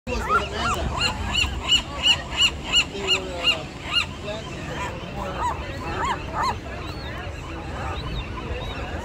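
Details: Gulls on Alcatraz: a rhythmic series of loud, nasal, yelping calls repeated about three times a second, fading into scattered calls, over constant roaring background noise.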